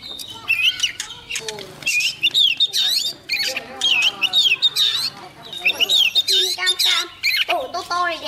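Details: Young Oriental magpie-robin in full song as a wild bird approaches. Rich, varied whistles and warbles swoop up and down in quick phrases that run almost without pause, with faint lower voices underneath.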